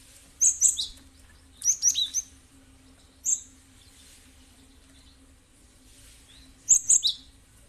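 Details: Cinereous tit (gelatik batu) recording used as a lure to prompt other birds to answer: four bursts of high, sharp chirps, each a quick cluster of two to four notes, separated by pauses of one to three seconds, over a faint steady hum.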